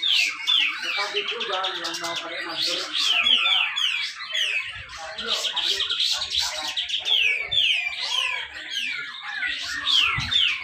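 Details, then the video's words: Grey-cheeked bulbul singing at a songbird contest in Malinau, North Kalimantan, Indonesia, its dense 'besetan rapet' song used to prompt reluctant birds to sing. Rapid, overlapping descending whistled slurs, about two per second, over busy chatter from other birds. "cucak jenggot besetan rapet"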